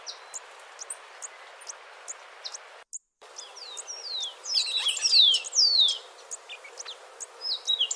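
Crimson topaz giving thin, very high chips, then a busy burst of sharp, downslurred squeaky notes and twitters before settling back to scattered chips over a faint hiss.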